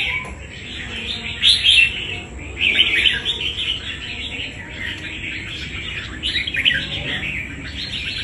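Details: Red-whiskered bulbul caught wild and kept for fighting, giving clusters of lively chirps and warbles, strongest around two, three and seven seconds.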